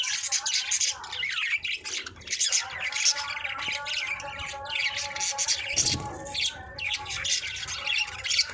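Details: Budgies in breeding condition, chirping and warbling as a pair or group; a busy stream of high, squeaky chirps with a few steadier tonal notes in the background.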